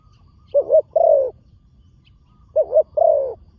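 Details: Spotted dove, a young trained bird on the earthen competition ground for the first time, gives two low cooing phrases, each a quick double-pulsed note followed by a longer, slightly falling coo, with quiet background.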